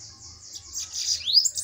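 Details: Bananaquit during a song duel, a short high thin buzzy trill rising at the end into a sharp upslurred whistle.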